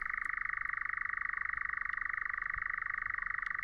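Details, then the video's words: A European nightjar churrs without a break at night while camping on Aegna island, a dry, steady, mechanical trill of very rapid pulses held at one pitch, with a few faint ticks behind; a sound of warm summer nights. "On jah öösorr. Soojade suveööde hääl..."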